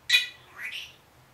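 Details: Pet Senegal parrot, one year old, talking indoors: a sharp harsh syllable followed by a softer rising-falling vocal phrase, part of its learned greeting words.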